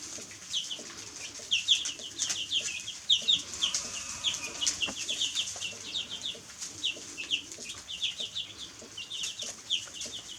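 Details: Chicks peeping continuously, short high falling notes in dense irregular runs from more than one bird, set against a constant hiss with faint low noise.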